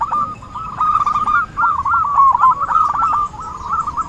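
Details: Zebra dove sound used as a lure for trapping, bird calling actively: continuous rolling, stuttering coos in tight bursts at a steady mid pitch, phrases running almost without pause, with faint clicks in the background.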